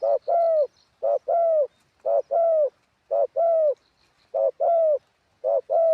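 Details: Ground-decoy spotted dove singing in a wild style. Deep, mellow paired coos, each a brief hoot followed by a drawn-out sliding note, recur roughly every second, clean and loud, with a faint high ticking in the background.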